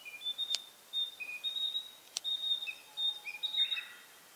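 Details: Narcissus flycatcher holding territory from one pine branch in a pine forest in spring. Rapid clear whistles and short warbled notes flow almost without a break, and two sharp camera shutter clicks cut in.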